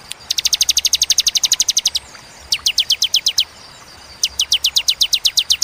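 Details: Bar-winged prinia (ciblek) in clear, spaced tembakan song. A rapid string of about twenty high, sharp notes is followed by two shorter bursts after brief silences. Faint hum in the background.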